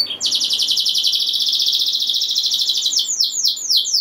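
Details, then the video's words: Singing canary, a lively rolling song meant to stir other canaries into singing: a long fast trill of high buzzy notes, then a few separate downslurred whistles near the end. "Kenari Gacor Ngeroll Nembak Joss! Buat Naikin Emosi Kenari Lain Biar Gacor Ngedur Ngerek"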